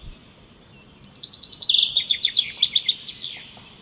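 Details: Asian green bee-eaters giving high, liquid trilled chirps in a fast run of about a dozen notes, with overlapping voices and a soft hiss behind.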